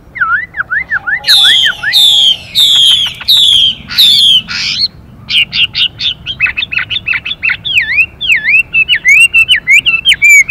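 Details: Hwamei male switching voice continuously alongside female calls: repeated V-shaped whistles, then loud high downslurred notes, followed by a fast string of mixed whistles and clipped notes.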